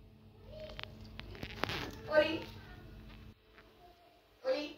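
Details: A pet grey parrot at home talks in short, human-like word bursts, with two louder phrases a couple of seconds apart over quiet indoor room noise.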